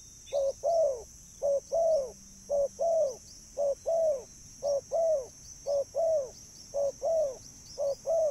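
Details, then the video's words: Spotted dove cooing for calling in birds: a steady run of about twelve paired low coos, each a short note then a longer falling note. The pairs repeat roughly every 0.7 seconds over a continuous high electronic-sounding whine. "burung tekukur suara mp3 💯 ampuh dan jernih untuk memanggil burung"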